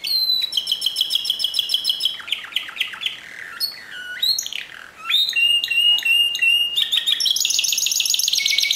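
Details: Timbrado canary performing discontinuous song: rapid metallic pulsed trills, a series of sliding downward notes, choppy rattling segments and a final high rolling trill, steady and strong throughout.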